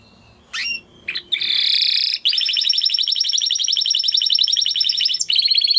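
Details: Spanish Timbrado canary, original breed closest to the wild canary, opens with two short notes, then a buzzy trill and a long continuous rattling roll lasting about three seconds, ending with a high flourish.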